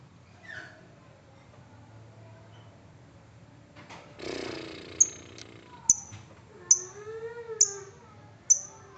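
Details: Lovebird ngetik ticking used to draw out trilling: after quiet faint sounds and a rough rustle, loud isolated high ticks ring out roughly once a second, with a soft lower wavering tone beneath.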